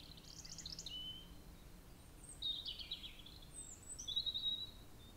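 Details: Brambling at a bird feeder in the Netherlands on 25 March 2022 gives short, high chirping and buzzy call notes in three bursts over five seconds, with a faint low hum in the background.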